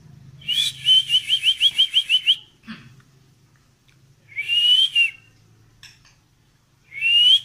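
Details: Medan-type white-rumped shama with a long tail, singing steadily in 'ngedur' style while pushing its tail. Clear high whistled phrases: one rapid run of about nine repeated notes, then shorter rising whistles after pauses, over a low background hum.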